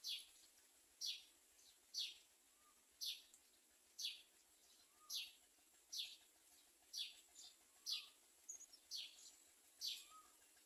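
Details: Common myna carrying nestlings to feed its young; regular bright, falling chirps about once a second, with faint low whistles now and then and a steady high hiss.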